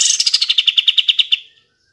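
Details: Kapas tembak bulbul's rapid rattling song, used as a provocation for reluctant singers: about fifteen crisp, high pulses in quick even succession over one and a half seconds, slightly falling in pitch, then silence.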